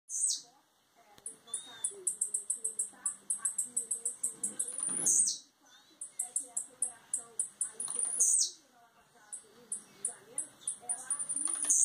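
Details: Blue-black grassquit from Campos dos Goytacazes, RJ, Brazil, just coming out of moult: very high, thin rapid ticking runs ending in a sharp buzzy downward sweep, repeated twice, over faint murmuring voices.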